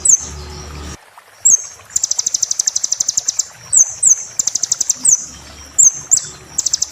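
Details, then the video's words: Sunbird song used to train caged birds: sharp descending whistles interleaved with fast, high, pulsed trills in a regular alternating pattern, against a faint low hum. "MASTER BURUNG KECIL KOLIBRI"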